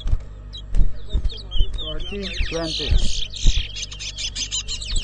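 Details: At a Rosehall Town whistling competition in Guyana, 2022, a large-billed seed finch (towa towa) delivers dense high twitters and buzzy bursts, partly masked by loud nearby speech and knocks.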